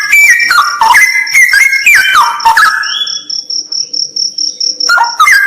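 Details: Straw-headed bulbul pouring out a rapid bubbling run of descending whistled notes, then falling silent while a steady high beeping, insect-like pulse carries on before the song resumes.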